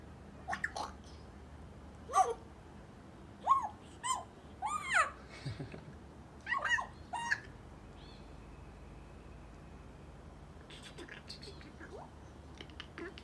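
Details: Eight-month-old male African grey parrot kept as a pet, chattering: scattered short whistled chirps and squeaks with quick pitch sweeps, clustered around the middle, with quiet gaps and faint clicks near the end.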